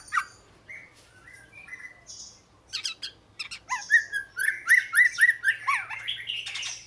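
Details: Oriental magpie-robin giving scattered whistles and clicks, then a rhythmic run of about six repeated looping whistled notes, roughly two per second, rising into a busy finish.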